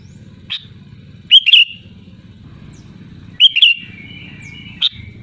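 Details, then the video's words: Sooty-headed bulbul calling loudly to rivals: two short, bubbly whistled phrases about two seconds apart, each a quick twisting burst, with brief sharp chips before and after, over a steady low hum. "SUARA ASLI BURUNG KUTILANG GACOR LANTANG MEMANGGIL LAWAN"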